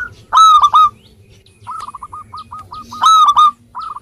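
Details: Zebra dove of local Indonesian stock singing as a lure for silent birds. Two loud, rasping coos frame a fast, stuttering string of short, hooked notes.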